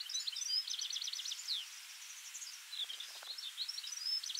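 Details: A European goldfinch (Carduelis carduelis) sings in a residential street with alder trees: a fast, liquid jumble of tinkling twitters and short buzzy trills, high-pitched and almost continuous, with faint low clicks behind.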